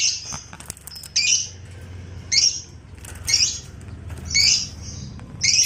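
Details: Lovebird, ngekek style bird used to bait and train other lovebirds, uttering harsh raspy squawking bursts about once a second, each short and grating, with light background hiss.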